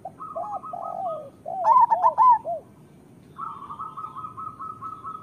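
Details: A local zebra dove sings to train other doves and prompt lazy or molting birds to call. Low rounded coos give way to a quick rolling burst of staccato notes, framed by a persistent fine trill in the background.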